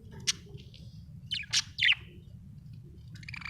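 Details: Pet budgies indoors: a handful of quick, sharp chirps clustered together, one thin high note, then a brief buzzy chatter at the end, over steady low hum.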